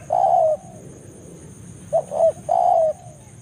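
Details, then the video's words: Calling spotted dove luring a rival in forest: a long smooth descending coo, a pause, then two short notes and another drawn-out coo, mid-pitched and mellow, over a steady high thin tone. "cara pikat BANGGO full memanggil lawan di hutan"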